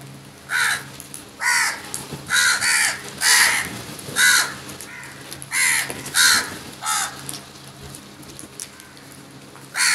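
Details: A huge number of crows feeding aggressively; harsh, raspy caws repeat roughly once a second in an uneven series, about eleven calls in all, each a short grating burst.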